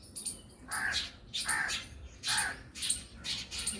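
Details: Black Drongo giving harsh, rasping calls, four to five bursts spaced roughly every half to one second, each broad and scratchy with a thin high ringing edge, over low background hiss.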